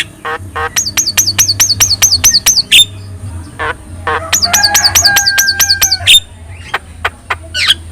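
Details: Actively singing yellow-eyed Javan myna, recorded to train other birds: two runs of quick repeated stacked whistled notes separated by clicks, a steady held tone, then sparse ticks, over low electrical hum.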